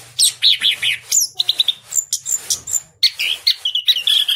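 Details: Caged Orange-headed Thrush from a southern Malang breeder, its voice described as crystal quality, pouring out gacor song: quick sequences of piercing whistles, some long thin notes, and chattering bursts almost without pause.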